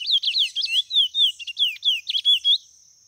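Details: Chestnut-bellied seed finch of a white color mutation giving a brisk, high whistled phrase of sweeping slurred notes, each rising or falling, delivered in rapid sequence for about two and a half seconds before stopping.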